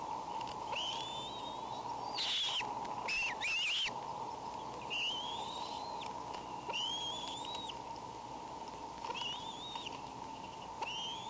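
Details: Bald eagle wheezing on May 19: repeated high, thin, arching whistles, several broken into quick squeaky bursts, about forty a minute, over a constant low hum.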